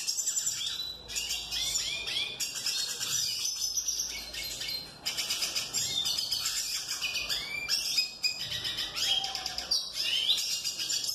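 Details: Male tarim singing to a female, delivering a long unbroken warble of fast high trills, chirps and slurred notes, nearly without pause, over a constant thin background tone.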